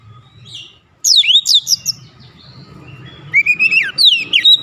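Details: Lure recording of a white-rumped shama meant to provoke rival birds into singing: after a quiet start, a burst of steep looping whistles, a soft lull, then a bright rising whistled phrase and more swooping notes.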